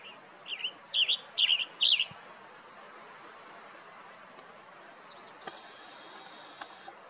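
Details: Male Western Tanager calling for his mate: five short, burry chirps in quick succession, roughly two a second. Faint thin high notes and a soft rustle follow in a quiet background.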